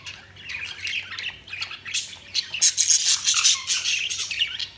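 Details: Budgies chirping in a busy, continuous stream of high squeaky and scratchy notes, growing louder and denser toward the end, with a faint low hum behind.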